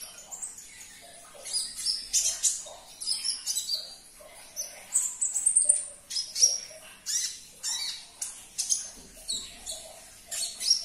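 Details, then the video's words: Lively sunbird song meant to prompt a caged bird to start singing: dense runs of shrill, high tweets and trills, rapid and irregular throughout. "Putarkan 1 menit saja video ini KONIN anda pasti langsung nyaut"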